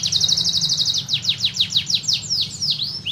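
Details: Canary pouring out a rapid buzzy trill on a steady pitch, then slower falling sweeps and upward-curving whistles. A low hum runs in the background.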